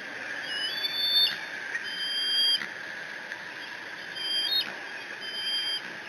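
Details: Eaglet of bald eagles at the Decorah nest, June 30, 2017, alone with a fish from its dad and mantling over it; drawn-out high whistled squees, sometimes doubled, ending in an upward flick, against constant cam hiss.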